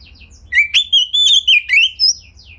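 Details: Oriental magpie-robin (kacer) singing as a pancingan to draw out other birds' repertoires: a clear, sustained whistled phrase that wavers up and down, broken by brief chirps, over a faint low hum.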